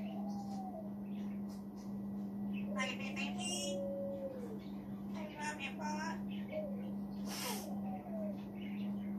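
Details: An African grey parrot sitting on a chair in the background of a room, talking to himself in speech-like mimicry: several short voiced phrases and clicks scattered over the clip, over a steady low electrical hum.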